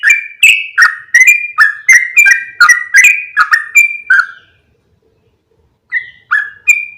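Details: Lure call of the yellow-vented bulbul for attracting other bulbuls: a rapid run of clicky, mellow whistled notes alternating higher and lower, stopping for about a second and a half, then resuming with a few more notes.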